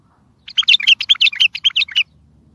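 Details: Strong bulbul song meant to get even silent bulbuls singing and answering, used in trapping: one bright, bubbling phrase of around eleven quick, slurred notes over a second and a half, with light background hum.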